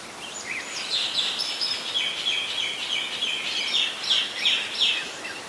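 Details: Singing Oriental magpie-robin, a very common resident of Ubon Ratchathani, Thailand, recorded 17 November 2021; a lively, varied phrase of high whistles, trills and chirps lasting several seconds over light hiss.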